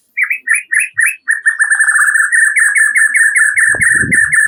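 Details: White-rumped shama (murai batu) singing as a lure for another shama; a few swooping whistled notes, then a fast steady run of bright repeated chips, with a brief low rustle near the end.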